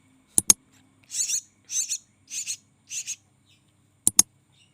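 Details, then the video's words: Javan myna nestling, still hand-fed and raised from small, gives four rasping, hissing begging calls at half-second intervals, framed by sharp clicks before and after. "Kasi Makan Anakan Burung Jalak Yang Masih Di Suap"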